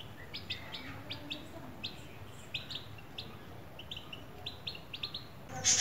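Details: Baby chicks hatched in a homemade incubator, eating sweetcorn: short high peeps repeated irregularly, several in quick bursts, over a low steady background hum, ending with a brief loud noise.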